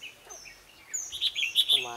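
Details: Red-whiskered bulbuls at a decoy trapping contest on 7 April 2016, a male perched on a power line with a female close by; a quick cluster of bright, sharp chirped notes, then a man speaking.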